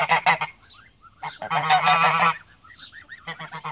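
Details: Domestic Pomeranian goose honking: a short rasping opening bout, then a drawn-out harsh blaring honk sequence, followed by light rising chirps and a final clipped burst of honks.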